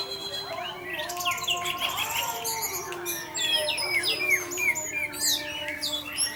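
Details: Orange-headed thrush in 'teler' song, played as a lure to get other thrushes singing. Quick series of varied downslurred whistles and sharp chips in lively, irregular bursts, with faint steady humming underneath.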